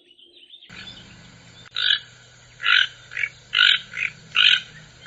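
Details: Toucan giving a series of harsh, nasal croaks, about six short rasping notes spaced roughly half a second apart after a sudden start, with a steady low hum underneath.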